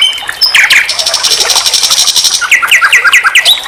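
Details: Common nightingale tutor song for teaching songbirds: an opening flourish leads into a high, continuous buzzing trill, closed by a quick series of downslurred chirps, about three each second.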